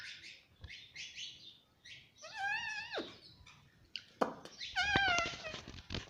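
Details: Pet Indian ringneck parrot talking nonstop, repeating words such as "mummy" indoors: bursts of harsh, buzzy chatter, then two clear rising-and-falling harmonic calls, with scattered chirps and background music.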